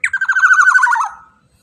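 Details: Lure recording of a black-naped oriole meant to make other orioles answer: one strident, pulsed, nasal rasp that starts high and slides gradually lower before fading out, with nothing else heard.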